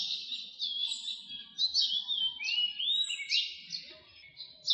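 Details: Philippine magpie-robin recorded 14 April 2022 sings a rich, varied run of clear whistles and slurred rising notes, phrases tumbling one after another with scratchy chirps between.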